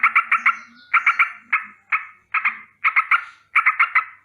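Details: Rolling danger alarm from a sooty-headed bulbul at morning: raspy chattering notes delivered in tight runs of two to four, repeated roughly every half second, with faint low rustling beneath.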